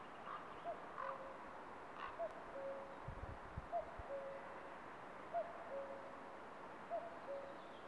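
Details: Common cuckoo calling from a branch, recorded by a camera trap in Estonia: a two-note cu-coo, the higher note followed by a lower held one, repeated about every one and a half seconds over steady background hiss, with brief low rustling thumps midway.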